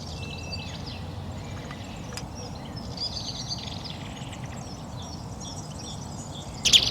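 European goldfinch singing a light, tinkling twitter of quick high notes over steady background hiss, ending with a sudden loud burst of noise.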